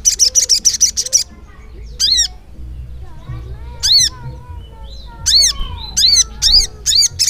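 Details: Continuous ngleper singing by a ruby-cheeked sunbird (sogok ontong). A rapid buzzy rattle opens, followed by isolated, sharply arched chirps and then a quickening series of chirps.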